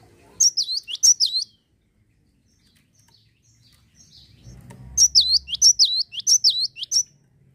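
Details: Java sparrow; call; prompting other birds to sing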